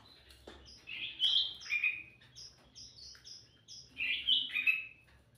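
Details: Lively sooty-headed bulbul song meant as a lure: two rich, warbled, rollicking phrases separated by a series of short high chip notes.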